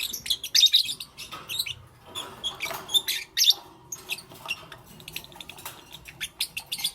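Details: Morning lovebird chirping: busy, overlapping high squeaks and sharp chirps, fairly continuous, with short bright whistled notes standing out now and then.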